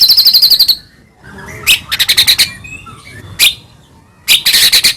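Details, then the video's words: Bursts of high, dense buzzy trills and scratchy notes from a white-rumped shama, with short quiet gaps between phrases; meant as a lure to excite other shamas into singing. "murai batu gacor AMPUH buat PANCINGAN murai batu agar bunyi JADIKAN burung murai gacor EMOSI"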